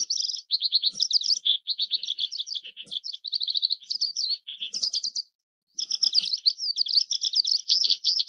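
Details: Oriental skylark (Alauda gulgula) song, Taiwan: a fast, unbroken stream of high, buzzy trills and chirps, pausing once briefly before resuming the rapid jumble.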